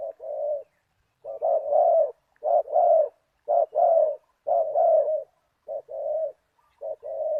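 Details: Deep-voiced spotted dove in '1 kuk' style, used as a decoy to call a target bird. Continuous low hoarse coos follow closely one after another, short notes alternating with longer rolling ones.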